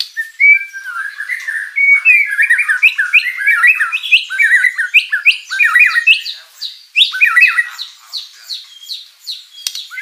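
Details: Murai batu, or white-rumped shama, singing vigorously with rich fill-in material to make rivals answer: a continuous flow of varied slurred whistles, warbles and quick chirps at fluctuating volume.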